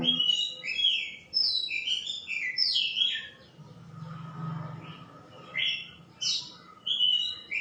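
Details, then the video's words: White-rumped shama delivering a continuous song of fluty whistles and quick slurred notes in short bursts, with a brief low hum partway through. "Shama birds..calling bird singing Bird"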